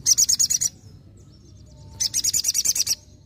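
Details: Sogon in vigorous nembak ngalas singing: two quick, piercing high trills, the first about six notes and the second about ten, with a one-second pause between.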